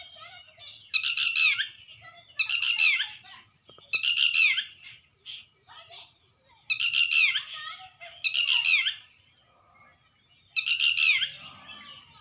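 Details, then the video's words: Red wattlebird repeating a loud, grating, coughing rasp roughly every one and a half to two seconds, each burst harsh and noisy, with a faint steady hiss and quiet gaps between calls. "Red watteld bird sound"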